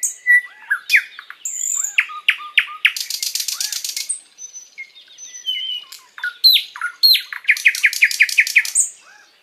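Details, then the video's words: Sikatan londo flycatcher singing a long, lively master song meant to enrich other birds' repertoires: mixed whistles and chirps, two buzzy rattling bursts, and a fast series of clipped repeated notes near the end. "Masteran Burung sikatan Londo gacor panjang"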